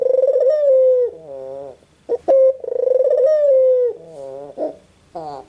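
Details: White Barbary dove giving two long trembling coos that tail downward, linked by low rising notes and quick sharp catches, in a quiet indoor setting.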